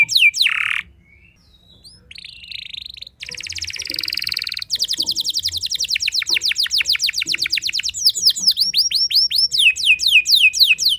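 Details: Canary song meant to make other canaries sing back: a loud harsh note, soft gap, buzzy warbling, then a long rapid trill of repeated sweeping notes, speeding and steady to the end.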